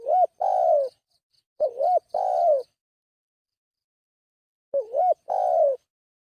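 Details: Spotted dove lure call: three mellow phrases, each a quick hooked note then a longer, descending coo, with a long gap before the third. Thin high chirps twitter faintly between the phrases.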